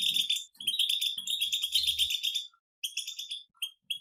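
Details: Several European goldfinches chattering together in the batbata song style, from nature, offered as a cure for a silent goldfinch: a continuous bright twittering run, a faint low hum beneath the first two seconds, then clipped bursts after a brief silence.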